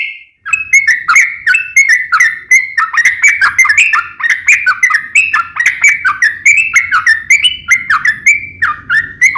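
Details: Yellow-vented bulbul, locally trucukan, singing continuously for over nine seconds. It pours out quick downward-slurred whistles in an unbroken rattling stream, with a faint low background rumble.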